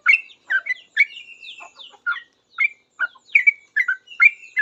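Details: Sooty-headed bulbul singing energetically in reply to other bulbuls, a rapid run of short liquid notes between 1 and 4 kilohertz, some with short whistled slides, in uneven bursts about twice a second.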